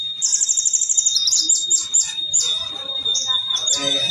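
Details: Sunbirds, called kolibri ninja, pitted against each other in a fighting duel in Indonesia; a very high, rapid buzzy trill gives way to sharp high chirps, repeated about every half second, with faint chatter underneath.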